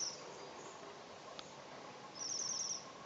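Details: Waxwing in the Urals gives thin, very high sibilant trills, one brief at the start and a longer buzzy trill near the end, over steady background hiss.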